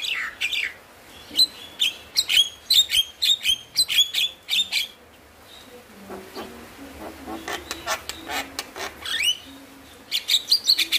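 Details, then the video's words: Javan myna song used as a lure to get lazy, stressed mynas singing: dense bursts of harsh clicks and whistled notes, a quieter low-pitched chattering passage midway, then loud rising whistles and clicks again. "Pancingan Burung Jalak Malas Bunyi | jalak Stres / Jalak Pikatan"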